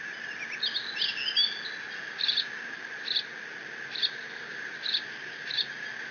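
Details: Bald eagle nestling at Decorah, 30 June 2017, mantling a fish delivered by its father while alone in the nest; an opening run of slurred high squeals, then regular short squeaks nearly every second, over steady live-cam hum.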